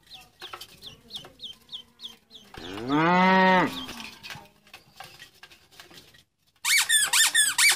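Ducklings peep in high, quick down-slurred chirps, about three a second; a loud, low moo-like toy sound breaks in, then a burst of overlapping chirps.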